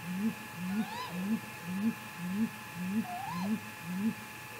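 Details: At a Mission Valley nest cam at 3:58 am on May 15, 2018, a Great grey owl gives deep, soft hoots, nearly two per second, in a possible confrontation. Two higher rising-falling whistles cut in over an electrical hum.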